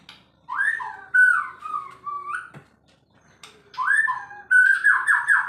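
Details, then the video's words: Male white-rumped shama singing in a frenzied, agitated state: loud, rich whistled phrases that slide and warble, rising and falling, delivered in two bursts separated by a short pause. "Murai kesurupan burcil"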